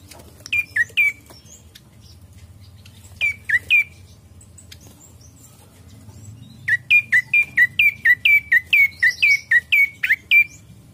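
Ashy prinia giving bursts of sharp, high, slurred notes, a short volley, a pause, then a longer fast run of about a dozen notes.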